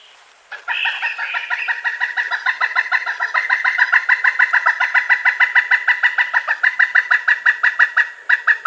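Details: Pileated woodpecker calling to keep in touch with its mate or warn others off its territory: a long, loud series of rapid, evenly spaced harmonic kuk notes, about six per second, running without a break for roughly eight seconds.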